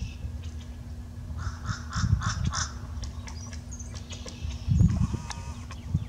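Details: Pileated woodpecker (Dryocopus pileatus) gives about five loud, harsh, crow-like notes followed by a few sharp knocks over a steady low rumble; recorded 4 March 2017.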